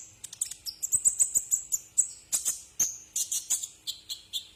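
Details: Brown-throated sunbird song as a tutor recording for cage birds: a rapid chattering run of high metallic notes, then spaced sharp chips repeated at short intervals.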